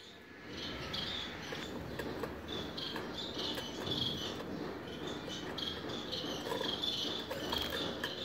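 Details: Gouldian finches with white chests giving soft, thin, high-pitched notes, repeated irregularly in short bursts over a faint hiss and low background murmur.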